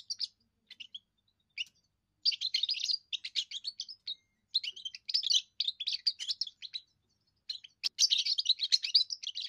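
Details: First song of a young European goldfinch, sung to claim territory and win females: bursts of quick liquid twitters and buzzy trills after a few sparse opening notes, continuing in long runs.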